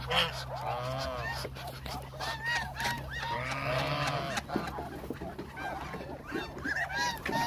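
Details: Flock of about a thousand hungry Muscovy ducks: a dense run of short arched nasal calls, several per second, overlapping above a constant low hum.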